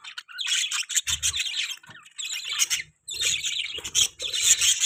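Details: Budgerigar chirping in busy bursts of high twittering and raspy chatter, broken by a brief pause near the middle, with faint low rumbles beneath.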